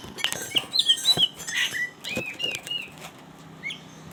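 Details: Greater green leafbird, caged, singing as a tutor recording for stressed leafbirds: varied slurred whistles and chirps mixed with sharp clicks and fluttering wing sounds, the calls thinning out toward the end.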